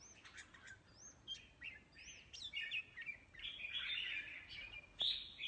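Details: Mutant red-whiskered bulbul in a singing contest: sweeping upslurred whistles, then a dense, rich warbled phrase and a final bright note.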